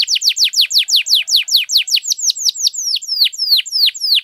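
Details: Canary song meant to provoke non-singing canaries, a steady run of loud, sharply falling whistled notes repeated about four times per second, each slurring down into a short buzz.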